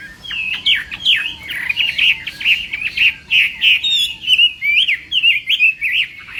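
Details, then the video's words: Morning training song from a hwamei: choppy bursts of quick whistled notes and twittering fragments, with short pauses between phrases and a few high thin notes mixed in. "hoạ mi hót sáng luyện giọng"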